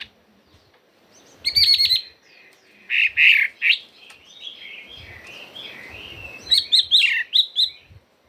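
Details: Chinese hwamei delivering forest-style song: rapid stuttered notes, a harsher squawky phrase, then a softer warbled passage and more stuttered whistles.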